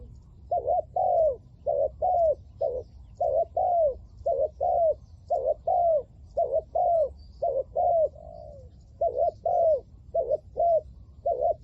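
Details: Decoy spotted dove calling to lure wild doves, 'lio tan' style: a long, continuous series of loud coos in pairs, a quick wavering note then a longer down-slurred one, repeating about once a second with brief gaps.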